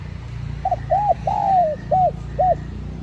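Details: Spotted dove call for luring wild doves, one full phrase: a short soft note, an arched coo, a long drawn-out sliding coo, then two brief rounded coos, steady low rumble behind.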